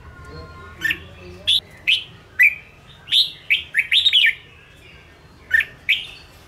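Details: Red-whiskered bulbul of the Ché type singing to provoke caged birds into song. Scattered bright, slurred whistles are spaced about a second apart and build into a quick cluster of warbled notes midway, with faint low background hum.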